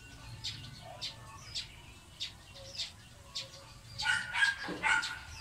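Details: Chirping of Eurasian tree sparrow (maya), an introduced bird familiar in Philippine towns: sharp separate chirps every half second or so, thickening into a louder chattering burst near the end, over low background rumble.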